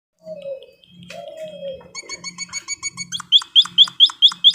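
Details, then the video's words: White-headed munia on a training recording for cage birds: mixed opening notes and a low, falling whistle, then a fast series of sharp, rising chirps repeated about twice a second, growing louder, over a soft low hum. "EMPRIT KAJI BELAJARAN DI JAMIN LANGSUNG NYAUT"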